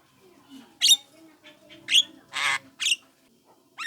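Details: Young Javan myna recorded as a lure call meant to draw responses from other mynas: harsh, broadband squawks in short separate bursts about every half second to second, with faint low background hum between them.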